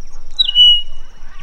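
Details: Male rosy-patched bushshrike singing a love song to attract a mate on a December morning game drive in Tsavo East National Park, Kenya: a clear, high whistle sliding down and holding about half a second, then a fainter whistle, over soft outdoor hiss.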